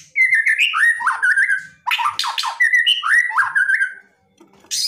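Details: Loud white-rumped shama song in an aggressive provoking style: rich, slurred whistled warbles rising and falling, split by a burst of harsh rasping notes, then another run of fluty phrases.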